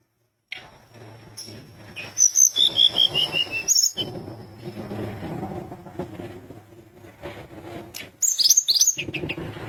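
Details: Sunda minivet singing vigorously to trigger rivals: a sustained high whistle tone, a quick descending series of chirped notes, then broad noisy background and a final flurry of sharp high chirps.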